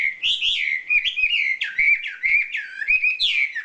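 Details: Wambi, a champion bird, sings a loud, clear run of whistled, warbling phrases that swoop up and down, each lasting under half a second and following one another without pause, in a quiet setting; sung as isian filler song.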